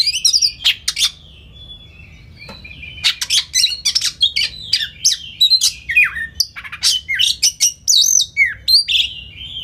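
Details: Oriental magpie-robin, locally kacer, in a training recording for caged birds: sharp clicks and buzzy notes, a long thin whistle, then dense runs of varied staccato chips and rasping phrases.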